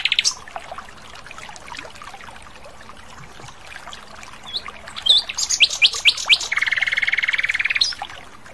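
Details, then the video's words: Asian brown flycatcher singing actively in the wild: a quiet opening, then sharp high chips that lead into a sustained, buzzy rapid trill lasting over a second. "Masteran Sikatan Londo Gacor Di Alam Liar"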